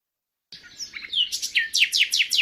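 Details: A common nightingale, a species that sings by day and night with each phrase differing from the last, sings a short, rich phrase: varied whistles and chirps, then about six rapid, loud, falling notes at a steady beat.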